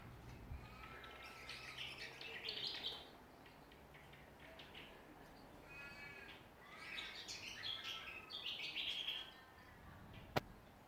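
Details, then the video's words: Several Australian songbirds in a Ballajura, Western Australia backyard: two bursts of overlapping chirps and harsher ringing calls separated by a quieter stretch, with a sharp snap near the end. "Australian songbirds in backyard."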